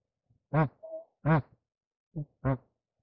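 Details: Mating Bar-headed goose calling with four deep honks at irregular intervals, plus a brief higher, thin tonal note between the first two.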